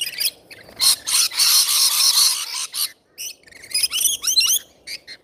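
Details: Rainbow lorikeets at feeding time, giving a long grating screech followed by quick chattering, twittering notes with short rising and falling whistles from several birds.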